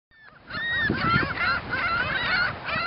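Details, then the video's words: Ring-billed gulls copulating on Montrose Beach, Chicago, Illinois, giving a dense run of harsh, nasal, mewing calls that rise and fall, several birds overlapping with faint background noise. "Ring-billed Copulation"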